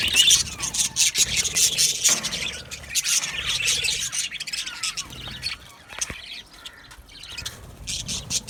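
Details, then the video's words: Aviary colony of Australian budgies singing and chirping: busy high twittering and squeaky squawks at the start, growing softer and sparser, then scattered chirps at the end. "Australian Budgies Singing and chirping sounds"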